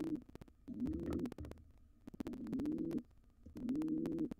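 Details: Intruding wild pigeon pair in a nest box vacated by a fledged nestling: three drawn-out, low, throaty coos spaced over four seconds, with scattered clicks and knocks.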